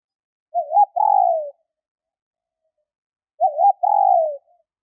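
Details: Two phrases of a female spotted dove call meant to stimulate males. Each is a quick quavering double note, then a drawn-out coo that falls slightly, separated by almost three seconds of silence.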